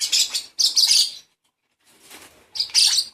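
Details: Hand-fed baby lovebird begging with loud, rough, wheezy screeches in three bursts, the middle one quieter and breathier, with brief silences between them.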